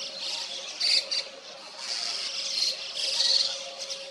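White-cheeked starlings chatter as a flock in a dense, harsh, buzzy wash of overlapping high notes, with a few sharper squeaks standing out. A low steady hum runs underneath.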